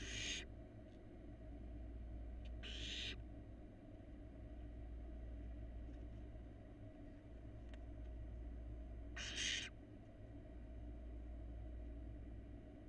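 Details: Barn owl nestlings at their nest, preening one another under a live nest camera; three short, rasping hiss-screeches sound at irregular intervals against a constant low mechanical hum.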